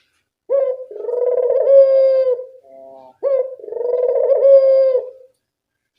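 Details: Dove recorded as a training call to get a quiet dove singing: two long, drawn-out coos, each opening with a short rising note, then a steady mellow tone with a softer, lower tail, separated by silence.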